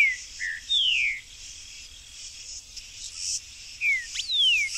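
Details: Buff-throated saltator, a free-living bird in a rural backyard among fruit trees, gives short clear whistles, mostly falling slurs, in two bursts separated by a pause, against constant shrill insect buzzing.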